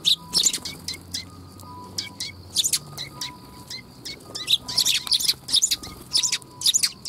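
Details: Several sparrows arriving to be fed at a Tenmangu shrine, 3 October 2021, giving a busy stream of sharp, high chirps in dense bursts, with brief quieter gaps and a faint steady tone in the background.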